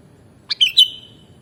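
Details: A sooty-headed bulbul gives three quick whistled notes, the last loudest and drawn out into a fading whistle; otherwise only a quiet low background hum.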